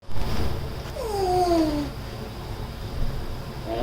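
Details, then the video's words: A male African grey parrot makes a funny noise indoors: a single drawn-out, falling whine lasting about a second, then starts another, over a low indoor rumble. "African Grey Parrot’s Funny Noise Moment"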